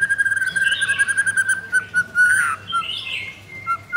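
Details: Caged white-rumped shama with leg rings, Jakarta, Indonesia, singing 'pastol blorok' style: a long, level, pulsing whistle with buzzy overtones, then a slurred note and short high whistles, with a low hum in the background.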